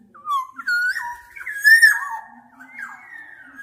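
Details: Black-naped oriole in a continuous run of mellow, liquid whistles, rising and falling in short linked slurs that swell loudest near the middle before trailing off more softly.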